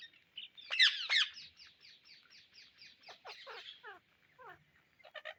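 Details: Indian ringneck parrots hunting for seeds open with two loud shrieks, then run into a long string of quick, falling, raspy notes that slow and drop lower toward the close.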